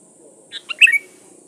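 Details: A sooty-headed bulbul sings a short lure phrase used to call rivals. Three quick notes lead into a bubbling, slurred whistle, with a constant thin hiss and soft low murmuring behind.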